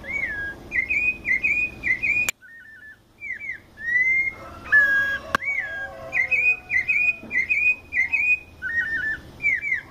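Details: White-necked thrush singing in the mateiro song style, São Paulo, Brazil: clear whistled phrases, many short rising-falling slurs repeated in quick runs, a few lower warbled notes and two sharp clicks.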